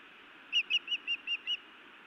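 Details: Osprey female scolding her mate at the nest in Montana, evening of 31 May 2017: after a short pause, six whistled chirps follow in a steady, even row over a faint background hiss.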